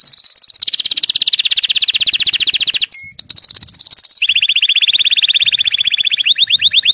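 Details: Singing canary used to motivate caged canaries to sing: long continuous rolling trills shifting between high and lower pitches, a short whistled note in the middle, ending with quicker bright trills.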